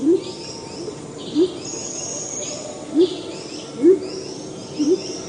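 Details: Low, rising hoots from Salvadori's Pheasant of the Sumatran highlands, repeated irregularly about once a second across five seconds, while other birds chirp and whistle high above in the forest.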